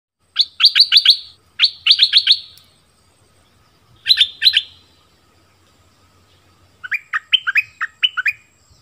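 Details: Orange-bellied flowerpecker lure recording, used to attract wild birds and train young birds: bursts of three to five sharp, high chirps, each falling slightly, separated by short pauses, ending in lower, quicker notes.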